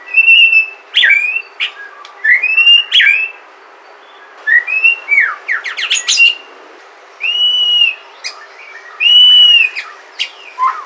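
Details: Native Sumatran white-rumped shama singing, recorded to prompt other shamas to sing: loud, varied phrases of rising whistles, slurred notes and rapid sharp chips, delivered in bursts separated by short pauses.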